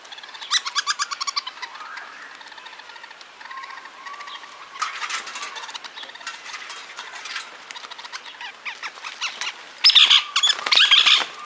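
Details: Hairy woodpecker father feeding a fledgling in Toronto, bouts of fast, scratchy chattering and ticking notes, growing louder and harsher near the end.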